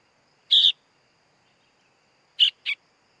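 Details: Young sooty-headed bulbul calling: a harsh double rasp, a two-second pause, then two shorter scratchy notes in quick succession.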